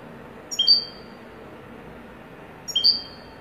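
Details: Two brief, high chips from a European goldfinch, a pair at the start and an identical pair roughly two seconds later, separated by near silence and faint hiss.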